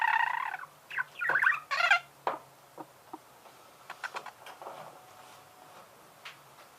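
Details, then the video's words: Budgerigars singing, short chattering bursts and squeaky warbled notes with gaps of quiet between, a faint steady hum underneath. "пение волнистых попугаев"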